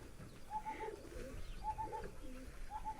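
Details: Pigeon cooing in three repeated bursts about a second apart, each a short warbling hum with lower rolling undertones, over light background noise and faint chirps.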